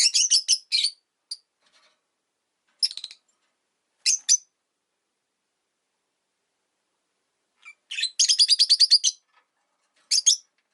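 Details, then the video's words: Rosy-faced lovebirds in a window-side cage, five birds, chirping in winter. Harsh high chirps come in stuttering runs, including a fast rattling series of about ten notes near the end, with quiet gaps between bouts. "Lovebird Chirping Sounds"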